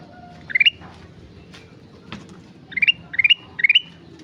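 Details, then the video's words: Rapid three-note upward phrases from a vocal sooty-headed bulbul: one phrase, a two-second gap with faint clicks, then three phrases in quick succession, over a steady low hum. "Burung kutilang emas gacor"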